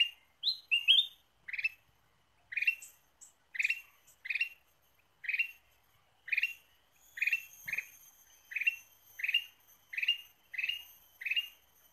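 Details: Ruby-throated bulbul song used as a lure opens with a few higher whistled notes, then settles into around twenty short chirpy bursts repeated steadily.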